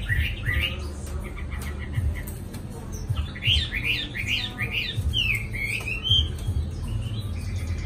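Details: Newly arrived Chinese hwamei in a cage in Hanoi, praised for long singing though not yet in top condition. Short chirps lead into a fast string of bright, looping whistles that fades toward the end, with a low hum behind.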